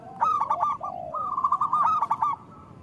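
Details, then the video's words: Local zebra dove cooing as a lure for other doves: one lively phrase of quick, bubbling notes that trail into a longer rolling trill. "Perkutut lokal gacor Suara Besar Panggilan Perkutut Agar Bunyi"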